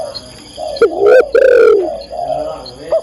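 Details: Female spotted dove calling to the male: two drawn-out, loud, rough coos in the middle, framed by softer low coos before and after.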